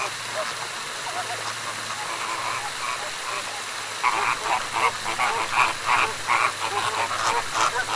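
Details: Loud morning cackling of flamingos, a crowded flock's nasal honks overlapping quickly, growing louder and denser after a short calmer start, with a constant low hum behind.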